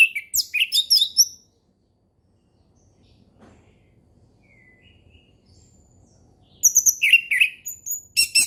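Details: Orange-headed thrush, ngeplong song meant as a lure for young learners: a fast sequence of varied chirps and high whistles, a long quiet gap, then another rapid twittering burst.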